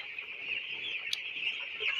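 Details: Broiler chicks reared during winter: a dense, continuous chorus of high, thin peeping fills the clip without pause, with one brief sharp click partway through.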